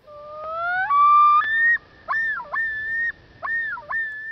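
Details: Yodel of a male common loon, a long-distance call tied to the breeding territory and individually distinctive: rising mournful introduction notes, then two repeated swooping yodel syllables with a dip and upturn, sustained in between.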